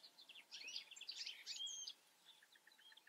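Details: European goldfinch filmed in the Eifel: a dense burst of rapid, tinkling twittered notes with short trills and a drawn whistle, lasting about a second and a half, then a few faint scattered chirps against quiet background hiss.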